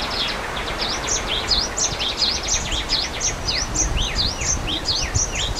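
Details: Java sparrows in the wild by a waterfall, giving a dense stream of high, bright V-shaped chirps, several per second, overlapping as if from more than one bird, over constant roaring water.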